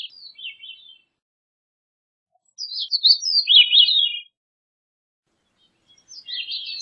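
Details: Grey-cheeked thrush song made of reedy, high descending phrases, one longer tumbling phrase in the middle flanked by shorter ones, with clean silence between them.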